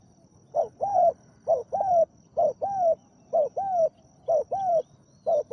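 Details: Spotted dove, a captive decoy bird with a deep voice, used to lure a wild dove. Deep cooing phrases of two notes, rising then gently falling, are repeated roughly once a second against a quiet background.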